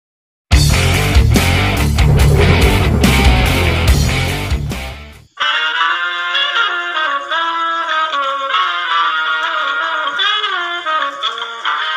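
Loud rock music with heavy guitars and drums, then a steadier passage of sustained tonal instrument or voice, with no animal call heard.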